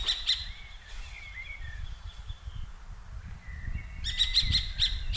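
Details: Common kestrels from two squabbling pairs, recorded 15 June 2023 during hovering flight: two sharp kee notes at the start, then a fast shrill series at the end, with songbird chirps and faint wind between.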